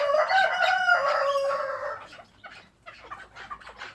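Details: Chukar partridge kept as a pet, uttering a loud grating rattled call for two seconds, fading into soft scattered clucks.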